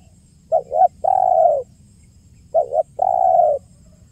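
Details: Spotted dove, recorded as a lure: a short two-part coo then a long sustained coo, given twice within four seconds, clear with only faint background hum.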